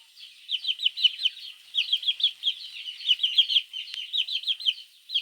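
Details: Morning cheeping of chicks calling for their mother: a near-continuous stream of shrill, high peeps in rapid clusters, with one short click partway through.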